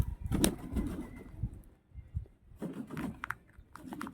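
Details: Pigeon cooing indoors, a few low soft coos early on, then rustling and knocking sounds with faint background noise.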